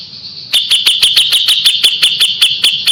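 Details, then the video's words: Kapas tembak singing steadily: a long string of sharp, piercing high notes about five per second, used as tutor song for white-rumped shama. "KAPAS TEMBAK GACOR JEDA RAPET"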